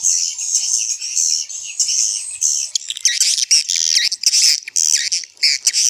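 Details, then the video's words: Vintage swiftlet calling sound to attract swiftlets: long, high, buzzy twittering strings that break into quick, sharp chirps, heard against a quiet background. "Suara Panggil Walet SUPER JADUL"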